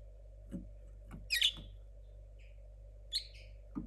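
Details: Linnet hybrid born 2022, still learning with a muddled song, gives sparse bright chirps, one clustered burst of sharp notes, then brief twittering phrases separated by quiet, against a constant low hum.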